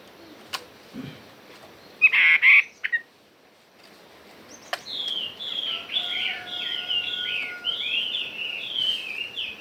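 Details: Hwamei song in the true forest voice. Scattered short notes and a loud burst give way to a fast, flowing series of looping whistled phrases, sliding and rolling, with a faint steady tone beneath.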